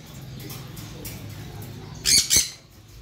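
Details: Blue macaw giving two harsh, loud squawks in quick succession near the end, after a stretch of low background hum.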